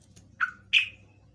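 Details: Trucukan (yellow-vented bulbul) lure sound used to get other birds answering: two quick chirps, the first lower and shorter, the second brighter and trailing off, over a soft hum.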